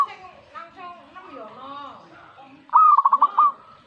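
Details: Zebra dove responding to a master recording, one loud pulsed cooing phrase near the end, a short rolling burst of about five quick notes, after a stretch of busy layered calls from other birds.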